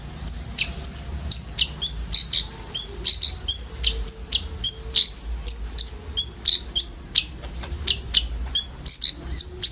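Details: Group of common ioras in filled-in song for luring sunbirds: quick, high tweets and clipped ticks in an uneven stream, with occasional brighter whistled notes and a faint low murmur beneath.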